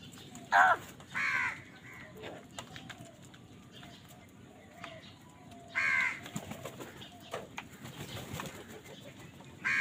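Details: Crows fighting for food give loud, harsh caws: a quick pair in the first seconds, another burst near the sixth second and one more at the end, with softer scattered calls and a low background hum between.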